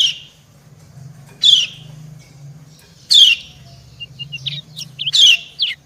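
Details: Female white-eye calling to a male, the pair answering each other; a few sharp, buzzy high chirps every second or two, with short thin notes between them over a low hum.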